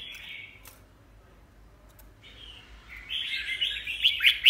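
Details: After a short whistled note and a pause, a caged red-whiskered bulbul bursts into a fast, loud warbling phrase of slurred chirps that grows stronger toward the end.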